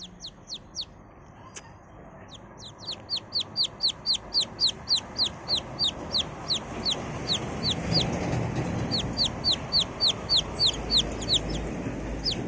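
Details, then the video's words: A chick peeps steadily with sharp, high, downslurred notes, about three or four per second, over a soft low rumble of background noise. "The cutest sweet sound of a chick"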